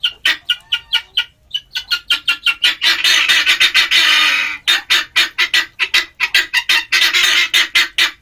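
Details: Male helmeted guineafowl in an excited, dense chatter of rapid harsh cackles, interrupted by long continuous rasping bursts, then returning to quick repeated notes.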